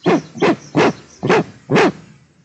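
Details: Female eastern imperial eagle of a pair at Nizhnyaya Kama National Park, Tatarstan, 13 May 2022, scolding at something: five loud, hoarse barks, evenly spaced roughly every third of a second, on a quiet background.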